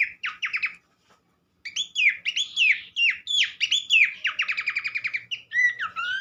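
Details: Pelanduk semak (Horsfield's Babbler) giving a brief trill, a short silence, then a dense run of rattling trills and whistled swoops that speeds into a rapid series before ending on rising whistles.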